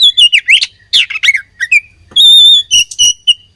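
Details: Oriental magpie-robin in a fighting context gives fast, warbling slurred whistles that swoop up and down. A long, steady, pure whistle follows, then several shorter clear notes.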